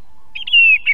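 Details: Song thrush at an Estonian osprey nest camera, a single brief whistled phrase: two quick notes, then a long steady tone and a final short note, with a faint low hum beneath.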